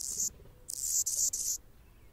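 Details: Male Anna's hummingbird guarding territory while a female feeds a baby in the nest, producing a short high hiss, a pause, then a longer pulsing buzz broken into three segments.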